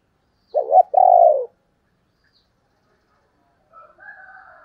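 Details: Female spotted dove, thổ đồng voice, used for luring males: two low coos, the first wavering and the second long and falling, followed by silence and a faint higher drawn note from another bird.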